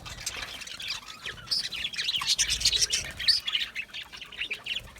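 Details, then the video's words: A group of budgerigars, Australian parrots kept in an aviary, chirping and warbling: rapid high twittering notes tumbling over one another, loudest in the middle seconds, with soft low murmur in the background. "Budgie chirping sounds"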